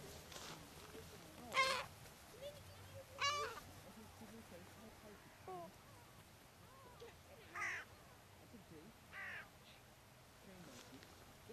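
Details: Gulls fed on the sand at Brean, Somerset, England, in spring 2013 utter short harsh squawks every one to two seconds, a few louder than others, over low background murmur and breeze.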